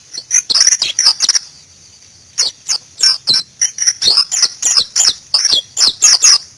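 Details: White-eye song, Zosterops, the bird known as pleci ngalas: loud, high chirping phrases of rapid twittering notes sliding up and down, a burst, a short pause, then a longer run of repeated squeaky twitters.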